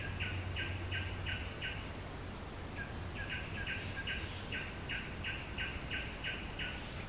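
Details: Bulbul repeating short, even notes about three times a second in two runs separated by a brief pause, set against a steady hiss and a low hum.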